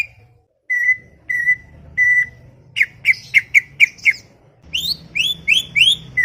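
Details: Greater green leafbird, said to chatter a lot, in a garden: four level drawn-out whistles, then six quick sharp notes, then a series of rising slurred whistles against faint background noise.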